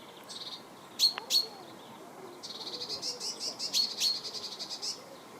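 Eurasian tree sparrow giving sharp, high chirps: two loud notes early on, then a quick run of about a dozen chips over two seconds.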